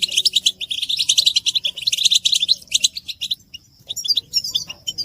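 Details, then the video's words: European goldfinch chatter of mating calls intended to rouse males into song; dense sparkling twitters for about three seconds, a quiet gap, then scattered sharp chirps and tinkling phrases return. "بتبتة حسون الشوك تحفيز الحسون على التغريد والهيجان علاج صمت الحسون goldfinch stimulation"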